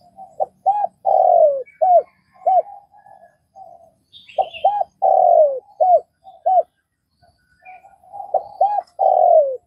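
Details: Spotted dove in Vietnam repeating its cooing phrase three times. Quick paired arched notes lead into a long downward-sliding coo and end in short bouncy notes, with soft low hums between phrases and a brief high twitter.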